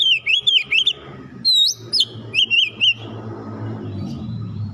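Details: Oriental magpie-robin (kacer) song played to lure birds into singing: bright whistled notes in rapid wavy loops, a rising slur, then a short series of trilled phrases over a steady low background hum.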